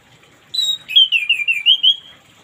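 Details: Orange-headed thrush in morning song, intended as therapy for birds that won't sing: a steady high whistle leading into a chain of wavering, rolling whistled notes.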